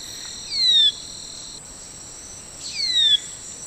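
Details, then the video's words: Brazilian manakin calling twice, about two seconds apart: each a clean whistled note gliding downward, with a constant shrill insect chorus behind. "SUARA BURUNG MANAKIN YANG EKSOTIS DARI BRAZIL"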